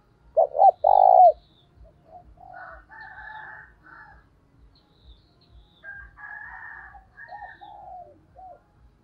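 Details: Lure spotted dove calling other doves in the thúc bổi manner: one loud phrase of two short hoots and a longer falling coo at the start, followed by quieter, higher, rougher bird calls from other birds.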